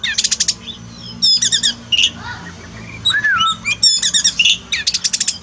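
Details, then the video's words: Oriental magpie-robin kept as a cage bird, used as therapy for a bird that sings little after moulting; loud rich song mixing rattling buzzy bursts, sweet falling whistles and fast chattering phrases, nearly continuous. "terapi kacer malas bunyi turun mental pasca mabung paling efektif"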